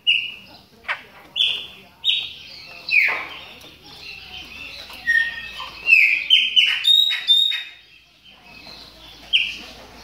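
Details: Chopi blackbirds in moult warming up: a jumble of whistled notes and chattering phrases, rising to a dense, overlapping burst in the middle before tailing off to a single whistle.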